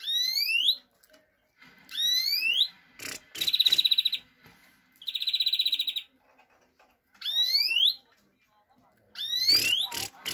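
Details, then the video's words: European greenfinch singing, with repeated rising, slurred whistled sweeps alternating with two fast, even, buzzy trills over about ten seconds. "Greenfinch Song"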